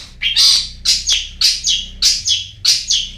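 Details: Long-tailed shrike (Lanius schach) lure/stimulus track to get lazy birds singing: harsh, scratchy paired notes repeated steadily about every half second over a faint low hum.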